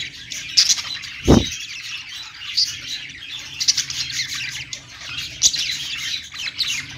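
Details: Perched budgerigars chattering in a high, busy warble with sharp squeaky accents, and one brief low thump partway through.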